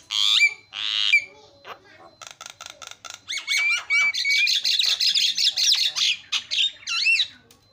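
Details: Javan myna giving a provoking call to get reluctant mynas calling: two loud nasal squawks, then rapid clicking, wavering whistles and a dense jumble of chattering, warbled notes.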